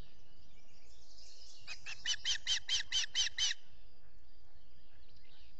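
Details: Osprey at a nest in the Finger Lakes region of the US, filmed by a solar nest camera at dawn on 14 June 2021 while chicks are fed: a burst of about seven sharp, evenly spaced chirps over a low background hum.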